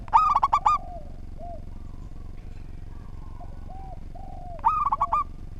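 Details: Local zebra dove: a crisp cluster of rapid, hollow cooing notes, a pause with soft, drawn-out coos, then another quick cluster, all over a faint steady low hum.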